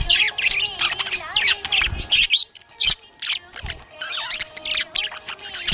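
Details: Cheerful budgie chirping in lively bursts of high, scratchy tweets, broken by a brief pause, then resuming its busy chatter over faint music.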